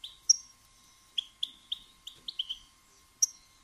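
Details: Female European goldfinch uttering batbata to prompt males to sing and breed: a clean series of short, slightly falling chirps about every quarter second, opened and closed by a higher sharper note, on a quiet background with faint hum.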